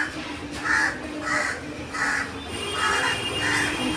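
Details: A crow caws repeatedly and restlessly, flying off and coming back. Five hoarse, nasal caws come about every 0.6 seconds over steady background noise, with a person talking in Bengali nearby.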